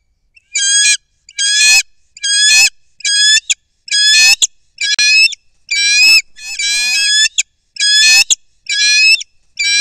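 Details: Bald eagles at their nest high in a loblolly pine near Kincaid Lake, Kisatchie National Forest, Louisiana, 23 December 2023: loud, high, harmonic squealing calls in bursts about once a second, each a thin piercing note with slight wavering, in a quiet background.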